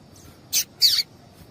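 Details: Two short, harsh chip notes from a female Double-collared seedeater, a call meant to excite a male and make him sing. A faint steady high whine runs behind them.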